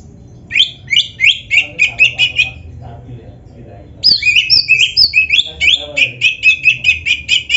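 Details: Oriental magpie-robin in lively, champion-style song, played to prompt other magpie-robins to answer quickly: bursts of rapid, repeated bright chirps, a brief pause, then high whistled slurs running into fast chattering series.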